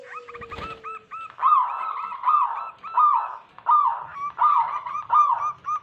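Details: Wild local zebra doves used as a lure for trapping wild doves: rapid series of short rolling cooing notes, repeated in bursts about every 0.7 seconds, with a brief low tone and a thump at the start.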